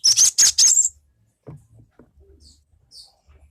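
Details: Gelatik batu, the cinereous tit, in a recording used as a lure to get other birds singing: three loud, high, buzzy chattering bursts in quick succession, followed by quiet faint knocks.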